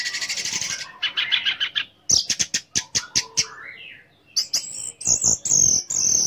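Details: Orange-headed thrush singing a varied provoking song meant to make other orange-headed thrushes sing and come into breeding condition; starts with a buzzy rattle, then sharp clicking notes, rising slurs and clear high whistles.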